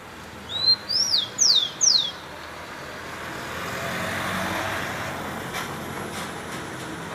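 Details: Rufous-collared sparrow gives four sweet, high whistles, an opening upslur then three sharply falling slurs, before a steady wash of distant traffic noise.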